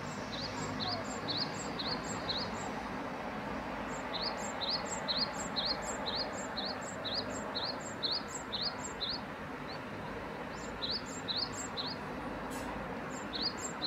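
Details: {'caption': 'Great tit delivering long runs of paired notes, each a rising whistled note then a thin higher one, with a short pause midway and a brief break near the end, over constant background noise.'}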